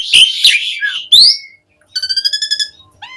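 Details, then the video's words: Asian pied starling song as a lure to get starlings singing: loud harsh screeching notes, a rising whistle, a brief pause, then a rapid harmonic trill. "Suara Kicau Jalak Suren Mudah Ditiru Buat Pancingan Burung Jalak Agar Gacor"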